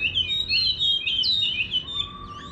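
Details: Chinese hwamei in a countryside garden giving a fast, high whistled song of quick slurred notes, ending with a short flat tone; low hum in the background.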